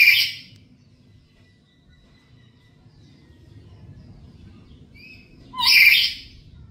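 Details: Captive black-capped lory at home giving a lure call: two rasping, explosive screeches, one opening and one near the end, separated by several seconds of near silence over a faint low rumble.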